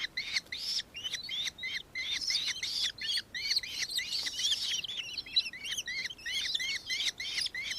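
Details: Nankeen kestrel (Falco cenchroides), known in Western Australia by the Aboriginal name martiet and also as minmin, recorded in Victoria, Australia, on 4 December 2024: high, sharp, inflected notes repeated rapidly in a continuous chatter for nearly eight seconds.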